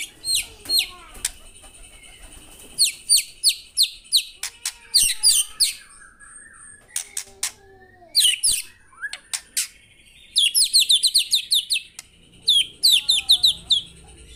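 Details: A white-rumped shama sings energetically, with rapid series of high chirps and whistled phrases, dense bursts of repeated notes and short gaps between them, and a few lower whistled slurs in the background.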